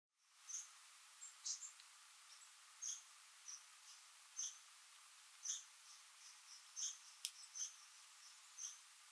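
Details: Pair of Tufted Titmice, returning daily together to backyard feeders in Essex County, New York, Adirondacks, 4 February 2023, winter; faint, thin, very high chips and short whistled notes, irregularly spaced about every half second, over steady background hiss.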